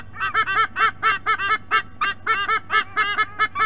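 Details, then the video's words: Nest camera at Sydney Olympic Park, Australia, picks up adult white-bellied sea eagles at the nest giving quick, nasal, honking notes, often paired, repeated more than twice a second, with a faint low hum underneath. "WBSE - Adults vocalizing"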